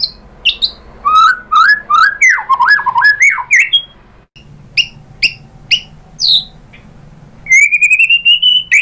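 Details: White-rumped shama song for luring other birds to sing: a run of rolling, warbled notes in mid pitch, then spaced sharp high chips, ending with a long sweet rising whistle.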